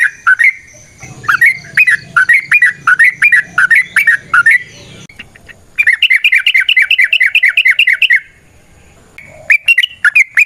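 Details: Lively sooty-headed bulbul song meant to draw other bulbuls into singing: a chain of fast, bouncing two-part chirps, a long rapid buzzy rattle, a brief pause, then more quick chirps.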